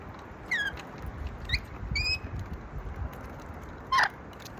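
Budgerigars give a few short, bright chirps, some falling and some level, over a low rumbling background.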